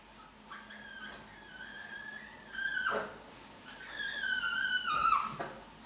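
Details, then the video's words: Blue-and-yellow macaws mating, giving harsh, drawn-out screeching calls rich in overtones, each lasting one to two seconds, rising then dropping, over a faint steady hum. "ara ararauna - páření arů araraun"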